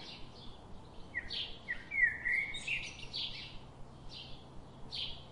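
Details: Bulbul chicks in their nest, being fed by a parent, give harsh, buzzy begging calls in rapid bursts that rise into a sustained squealing chorus, over a steady background hiss.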